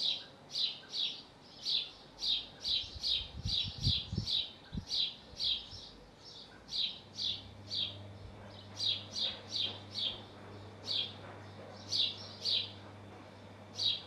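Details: Chirping male house sparrow on a roof near his nest in Hull, UK: a long, fairly even series of short bright chirps, briefly uneven midway, with low thuds and a steady hum behind.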